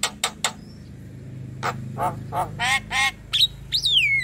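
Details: Young Javan myna singing actively over a steady low hum: three sharp clicks, a faint whistle, a run of rough, nasal chattering notes, then a bright whistled note that falls away.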